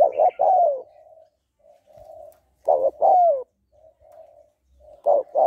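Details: Female spotted dove calling to excite a male, a training sound for decoy birds. Low cooing phrases, each a short burst followed by a longer, slightly falling coo, with softer low murmurs between, repeated about every two and a half seconds.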